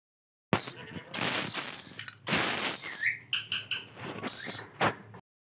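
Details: Rainbow lorikeet chicks begging while being fed: loud harsh rasping bursts of about a second each, separated by brief gaps, with a short rising squeak and a few choppy rasps.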